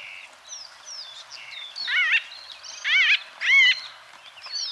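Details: White-fronted bee-eaters calling in Kenya: soft whistled notes, then three loud, stacked, rolling squawks about a second apart in the second half, each one arching down in pitch.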